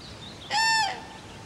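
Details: One bugling crane call from Friskalanlahti bay: a strong, ringing, nasal note held level for roughly 0.4 seconds, then tailing off. A faint higher whistle comes just before it, over a soft noisy background.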